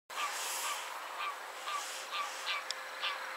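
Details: Caspian gull calling after chasing off another gull, a fast series of harsh, nasal, honking notes, roughly three per second, over a steady hiss of background noise.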